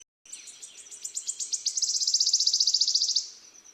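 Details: Small songbird singing, used for training other songbirds: high, thin chirps that speed up into a dense, buzzy, fast trill lasting about three seconds, then stop abruptly before a faint final note.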